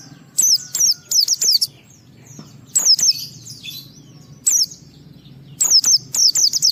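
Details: A white-eye pours out quick groups of shrill, down-slurred chirps in the ngalas style, a song used to provoke other white-eyes into singing, with brief quieter gaps between bursts.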